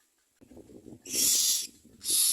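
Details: Myna chicks being fed, giving two loud, harsh, hissing screeches, the second shorter, over soft low rustling and shuffling sounds.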